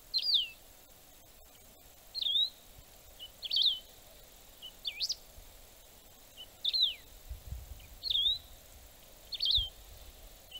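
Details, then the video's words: Wedge-tailed grass finch singing, recorded in Brazil as playback for birding trips: seven brief, swooping high whistled phrases delivered at uneven intervals of one to two seconds, with low background hiss and no other clear birds. "Canário do Campo (canto, Play Back )"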